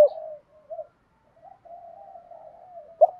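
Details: Spotted dove coos from male and female birds, played to stimulate training doves: soft low drawn-out cooing with a few short notes, ending in one louder clipped coo.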